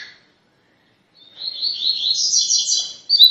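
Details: Training song in tui tui style from a coleiro: after a quiet second, one long buzzy trill of fast high notes that rises in pitch and ends with a sharp final burst.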